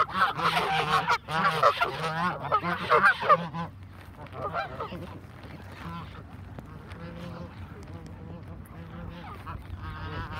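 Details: Feeding time for a flock of Canada geese: about three seconds of loud, rapid overlapping honks, then the calling drops to softer, scattered honks and murmurs for the rest.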